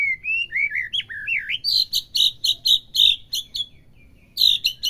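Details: White-rumped shama song played to a captive bird to make it sing: wavering, looping whistles followed by a series of short buzzy bursts, a pause and more bursts.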